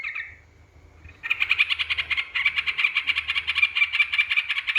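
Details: Lure recording of a yellow-vented bulbul meant to provoke rivals: a short chirp, a brief lull, then a sustained fast run of buzzy, rattling chatter notes.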